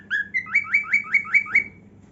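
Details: Singing while it dances, a pet cockatiel gives a quick series of about seven upswept whistled notes, each rising sharply, roughly four per second, then falls silent over a faint hum.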